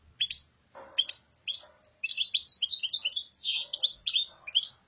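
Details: Goldfinch (Carduelis carduelis) performing its "papadia" song: a few opening chirps, then a long unbroken run of rapid, liquid twittering and tinkling notes, high and sweet, building into a dense warble.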